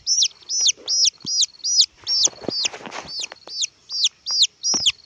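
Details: Red junglefowl chick giving a steady series of loud, piercing downslurred peeps, roughly two or three each second, with soft clicks and rustling between notes.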